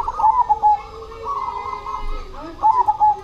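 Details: Cemani zebra dove singing steadily. Clipped cooing notes open and close a drawn-out rolling trill, all in clean mid-pitched tones.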